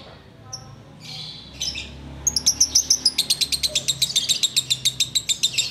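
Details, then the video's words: Ngekek-style song of a sooty-headed bulbul: a couple of short high calls, then a long, loud rattle of clipped, high, evenly spaced notes, roughly four each second, continuing without a break. "Ngekek Biang Kerok"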